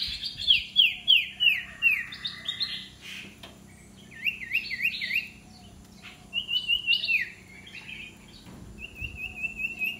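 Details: Common iora being trained as an aggressive decoy bird gives a string of rapid whistled phrases: falling chip series, zigzag notes and short steady trills, repeated through ten seconds over a low steady hum.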